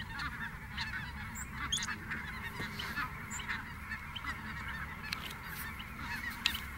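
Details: Flock of snow geese lifting off at Merced NWF, their many honking voices blending into a continuous nasal clamor, with steady low-frequency rumble underneath and occasional brief sharp ticks.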